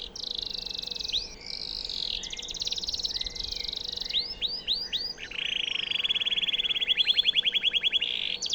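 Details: Canary singing as a master song for White-rumped shama training, with long high trills, clusters of sharp descending slurred notes and a rapid rattling series near the end, delivered without pause.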